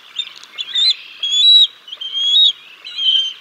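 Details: Bald eagles at the Decorah North nest on 6 May 2022, live nest cam, during a fish feeding of the chicks: a few sputtering notes, then three long high whistles that rise slightly at their ends.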